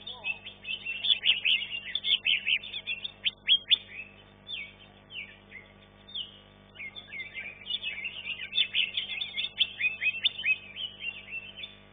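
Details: A greater green leafbird at a songbird contest, where it placed third, pours out a rapid, varied stream of high chirps, trills and sharp whistled notes in fast bursts, with faint crowd murmur behind.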